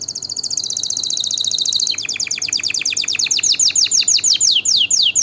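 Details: Canary song played to encourage breeding and train young singers: a bright, rapid high trill shifting into repeated descending slurred notes that gradually space out.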